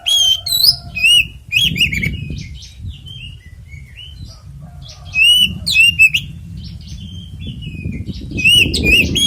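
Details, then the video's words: Oriental magpie-robin giving a 'ngeplong tarung konslet' fighting song, used as a lure to make other magpie-robins sing: varied loud whistled phrases with rising and falling slurs and sharp high notes in bursts, over steady low rumbling background noise. "SUARA BURUNG kacer gacor NGEPLONG TARUNG konslet"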